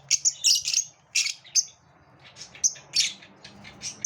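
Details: Lovebirds in a competitive moment: shrill, high-pitched chirps and squeaks in irregular bursts, some clustered, with short gaps between.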